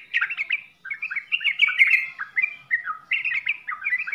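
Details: Yellow-vented bulbul (trucukan) in full-isian song: quick, clear slurred whistles and chirps in short phrases, with a brief pause after the opening notes.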